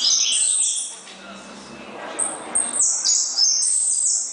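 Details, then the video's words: Azulão, the ultramarine grosbeak, in gritão style, 19 August 2014: loud sweet whistled notes stepping and sliding between high pitches, an opening phrase, a pause, then a second rising-and-falling run to the end. "Azulão Gritão"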